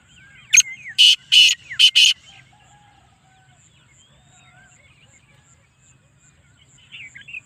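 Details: Black francolin, described as a 'speeder' and 'chakri wala' calling bird, gives one harsh grating phrase: a short clipped opening note, then four loud rasping notes in about a second and a half, followed by quiet faint chirps from other birds.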